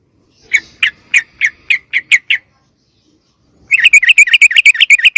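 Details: Sooty-headed bulbul lure call that draws wild birds of its kind closer: a series of seven bubbly chirps spaced about a third of a second apart, a pause, then a rapid chattering run.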